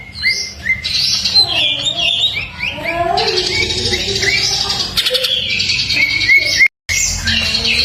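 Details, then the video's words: Greater green leafbird in full fill-in ('full isian') masteran song: clear whistled notes open, then rapid rising and dipping phrases, sweeping slurs and a few raspy bursts. Sound cuts out briefly near the end. "masteran cak ijo full isian"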